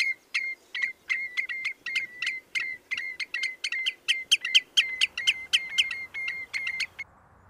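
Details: A common redshank, linked to Holes Bay, Poole, UK, where it winters on salt marsh and estuaries probing mud for food, gives a rapid run of sharp, ringing piped notes, three or four a second, over a faint low rumble of distant noise.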